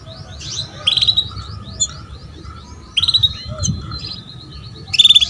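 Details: Female canary calls used as a lure for a male: rapid high chattering trills interrupted by loud buzzy bursts roughly every two seconds, over a low background murmur.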